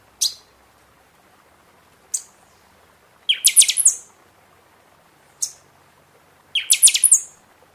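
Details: Buffy-fronted seedeater singing a lot during the season, song for stimulating caged birds after moult; single high sharp notes alternating with two rapid ringing phrases of about six strokes, each closing on a thin whistle.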